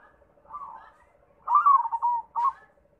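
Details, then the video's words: Perkutut, or local zebra dove, cooing: a soft wavering note, then a louder rolling coo that slides down and holds, ending in a short sharp coo, over a faint low pulsing hum. "MACAM - MACAM BUNYI PERKUTUT"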